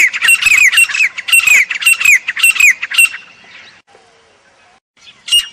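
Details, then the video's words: Jungle grey francolin delivering a rapid, continuous run of shrill, grating notes for about three seconds, then near silence with a faint low note, and one last sharp burst at the end. "Acha Teetar Ki Zabardast Awaz"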